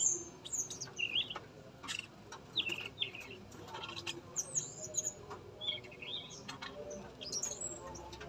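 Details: Male yellow-rumped flycatcher singing in a breeding cage, tame and vocal, produces clear high whistles and short falling slurs at irregular intervals of about one to two seconds, accompanied by sharp taps and clicks.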